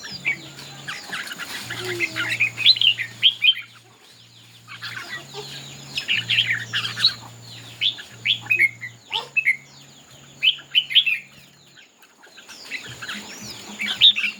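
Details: Singing contest of red-whiskered bulbuls: irregular bursts of lively warbling and sharp chirps, with short pauses between bouts, over a persistent low mechanical hum.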